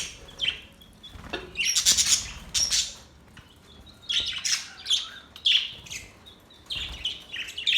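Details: Budgies chirping contentedly in short separated bursts of squeaky warbling and sharp squawks, with brief quiet gaps between the chattering phrases.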